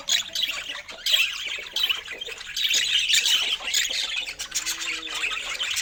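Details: Pet budgerigars at feeding time with fresh fruit: a continuous, dense, scratchy chattering warble with quick chirps and occasional harsh squawks, without pauses over the whole stretch.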